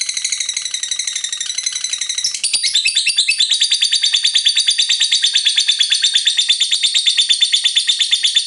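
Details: Lovebird in a long 'ngekek panjang' chattering song, played as a lure to prompt other lovebirds to sing: a dense, rapid, high buzzy trill that shifts tone partway through and keeps going without a break.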